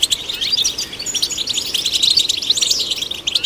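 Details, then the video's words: Dense, continuous twittering of a European goldfinch, played to stimulate goldfinches, with liquid chirps and trilled phrases running without pause through the short stretch. "Golden Songbird vocal performance to stimulate the goldfinch"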